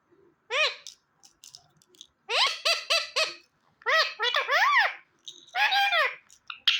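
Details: Pet ring-necked parrot talking indoors: a quick run of short, harmonic, speech-like syllables, some rising and falling, in bursts separated by brief pauses, with a small room's echo.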